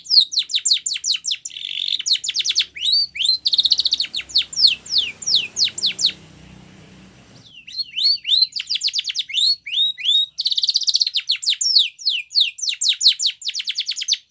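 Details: White Spanish Timbrado canary song for training young birds: long runs of fast, falling chip notes mixed with brief rattling rolls. A softer, quieter stretch comes midway before the rapid notes return.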